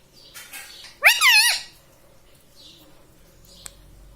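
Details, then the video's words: Talking pet ringneck parrot gives a single harsh, wavering, word-like squawk lasting half a second, followed by near silence with a faint click. "Mummy Papa Bolunga || Talking Parrot || Mitthu Mitthu"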